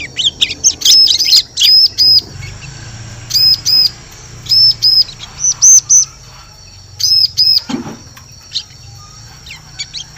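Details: Series of high, clipped arched chirps from a bar-winged prinia, mostly in doubles and triples with short gaps. Forest lure sound for drawing birds in.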